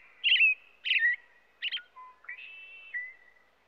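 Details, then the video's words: American robin gives several rich slurred whistled phrases, some burry, ending with a lower steady note and a long thin whistle fading out. "American Robin sounds | American Robin singing | Robin calls | Robin sounds"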